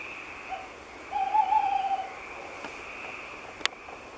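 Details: Tawny owl singing at night from high in an oak: a single wavering, drawn-out hoot lasting about one second, with faint noise and a sharp click near the end.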